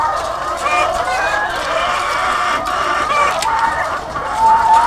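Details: Farm chorus of thousands of egg-laying hens: loud, dense overlapping clucks and drawn-out squawks, with a clearer rising call near the end standing out from the steady din.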